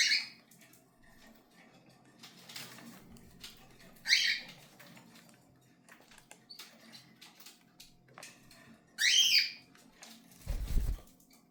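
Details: Cockatiels kept as pets: three short, harsh, rasping squawks spaced several seconds apart over a quiet indoor background, with a low thump near the end.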